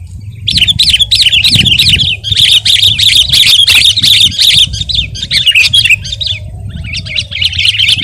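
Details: Sooty-headed bulbul singing energetically: a fast, repeated chatter of bright, wavering chirps in a long run, a brief break, then more rapid notes, with low background rumble.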